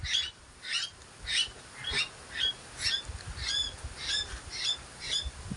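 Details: A pet myna gives harsh, grating squawks about every half second, nine or so in a row, over a low outdoor rumble; Myna.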